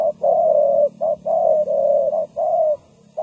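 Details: A decoy spotted dove kept for trapping wild birds gives a run of loud, mellow coos, alternating brief notes with long drawn-out ones in near-continuous sequence.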